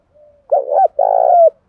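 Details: Decoy spotted dove calling in the thúc gù manner to draw in wild doves: a soft thin lead-in note, then a clipped double coo and one drawn-out, purring coo ending with a slight drop.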